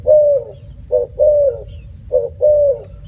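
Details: Spotted dove giving soft hollow coos, a short note followed by a longer sustained coo, twice in quick succession over steady low background hum.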